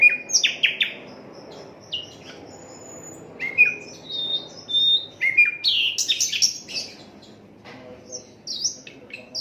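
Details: Asian brown flycatcher recorded without edits as a singing model for songbirds: lively mix of high chirps, dropping whistles and scratchy bursts, busiest in the second half, with brief quiet gaps.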